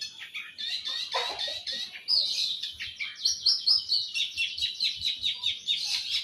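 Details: Long-tailed shrike giving a fast run of high, scratchy chattering notes, repeated about twice a second in a steady pulsing series after a short harsher opening.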